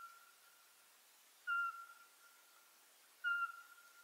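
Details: Eurasian pygmy owl giving two clear, mellow whistled notes on one pitch, about two seconds apart, with a faint steady whistle between them.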